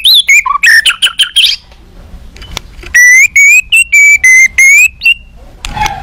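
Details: Agitated white-rumped shama, used as a lure to provoke other shamas into answering, gives loud, rapid, bright whistled notes. After a brief pause it delivers a series of sustained, ringing whistles repeated about every half second.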